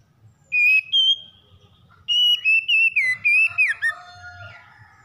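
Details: Quick morning song of a magpie-robin for calming a stressed bird. Two bright whistles open it, then a rapid sequence of clear notes undulates and ends in lower, trailing warbles.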